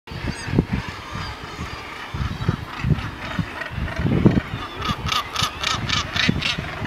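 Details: Northern gannets calling on the cliffs of Helgoland, with harsh, rasping calls repeated from many birds in the colony. A loud, noisy background of wind or surf runs throughout, and a burst of pulsed grating calls comes near the end.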